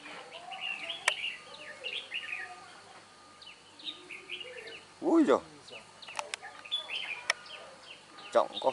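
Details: Wild red-whiskered bulbul being trapped, its voice called bell-like; short bright chirping and warbled notes repeat throughout, with a louder downward-sweeping burst midway, clicks, and a man speaking over it outdoors.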